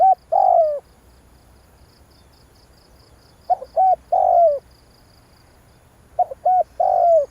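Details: Calling spotted dove used to provoke a decoy bird: three evenly spaced low phrases, each two or three clipped coos followed by a longer sliding coo, about every three seconds, with faint pulsed insect buzzing above.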